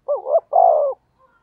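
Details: Single lure phrase from a spotted dove kept to attract wild doves: a bouncing, wavering opening coo followed by a fuller, sustained coo that drops slightly at the end; clean background.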